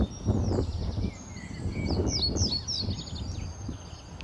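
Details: A Reed Bunting at a reedbed in early spring, March, before sunrise, gives thin high chirps and short downslurred notes in quick irregular bursts over a steady low rumble of wind or distant traffic.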